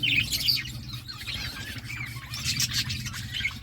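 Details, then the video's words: Chirping from a parakeet eating fruit, with irregular high twittering notes, some slurred and some clipped, repeated several times a second over a faint low background hum. "Parakeet eating fruit and chirping sounds"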